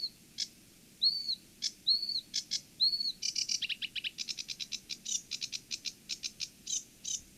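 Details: Sedge warbler song, played for comparison with reed warbler song, its notes more gravelly: a few clear upslurred whistles open the phrase, then a quickening run of sharp scratchy chips and dry rattling notes.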